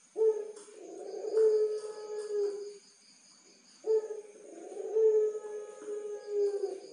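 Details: Two full puter pelung dove phrases from Tulungagung, a caged master songbird. Each begins with a strong note, carries into a long, rolling coo and ends on a harsh "kwok". The phrases are separated by about a second of silence.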